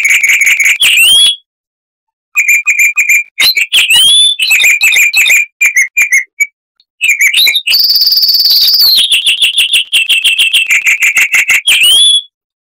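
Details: Southern African Chestnut-vented warbler, a bird of bushes near dry rivers, delivering clear, loud phrases of rapid chirps, about three per second. Phrases are separated by short silences and include a long high trill and rising whistled slurs.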